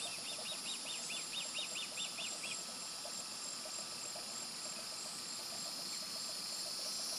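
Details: A juvenile osprey near the nest, with an adult on a light pole, 16 July 2020, gives about ten quick, high whistled chirps in a row before falling silent, over constant hissing and buzzing background noise.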